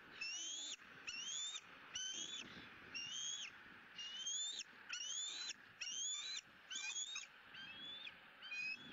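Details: Bald eagle eaglet E9 squealing with joy at a feeding on the second fish of the day, Southwest Florida nest, 20 April 2017: high, thin, rising-then-falling squeals with strong harmonics, repeated about once a second in a steady run.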